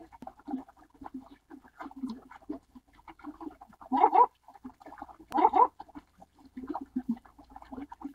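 Baikal Teal giving low, clucking chuckles in an irregular series, with a few louder, more nasal bursts, as from several birds calling together.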